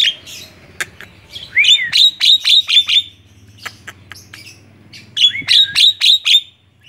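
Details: Tame Javan myna chattering on a hand: bouts of loud, quick, repeated whistled notes, about five or six per bout, separated by scattered clicks and soft chatter.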